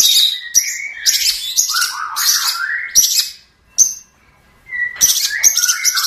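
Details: Long-tailed shrike (cendet) song, a loud, varied chattering run of harsh buzzy notes, sharp chirps and scratchy whistles in fast bursts, with a short pause near the middle before the chatter resumes.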